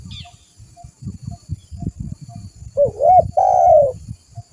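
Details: Spotted dove lure call to bring other doves near: soft low thumping at first, then a loud phrase of a short looping coo followed by a drawn-out, slightly wavering note.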